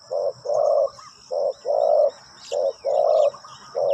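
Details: Low, full cooing from a spotted dove set out as a decoy for wild birds, short and long notes alternating in an even rhythm, with a soft high background of chirps.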